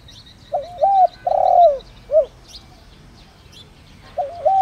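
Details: Lure spotted dove calling in the 'đồng rặc' style to attract wild doves. A full three-part cooing phrase, then after a two-second pause a new wavering coo begins, with faint high chirping of small birds throughout.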